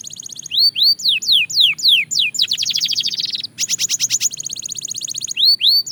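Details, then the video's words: Belgian canary song, fast tempo: bold arching whistled sweeps repeated about twice a second, a dense rattling trill, a high rapid tour, then arching sweeps again. "Shocking Canary Singing Progress – You’ve Never Heard This Before!"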